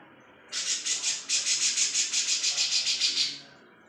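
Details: A grey-cheeked bulbul, kept as a tutor bird for contest birds, gives a harsh, hissing rattle of rapid pulses, about four per second, lasting roughly three seconds. Its voice is the only clear sound. Possibly recorded on an evening, 20 May, around 18:40.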